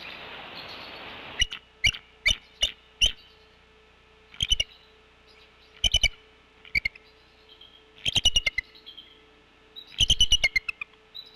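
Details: Bald eagles at the Decorah nest: the brooding female spots something in the air, tracks it and chatters, while the male answers from off camera. Sharp, staccato chattering bursts of quick high notes come in clusters, separated by short pauses.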